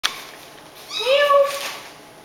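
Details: A pet caique gives a single convincing cat-like meow, rising then holding steady for about a second, after a brief click; it meows like this when nobody is around. Otherwise quiet indoors.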